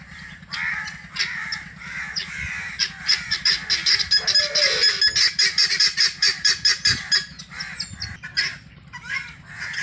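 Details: Helmeted guineafowl foraging free range, giving a fast series of harsh, grating notes that build into a steady rattling chatter of about two calls a second, with softer overlapping calls behind.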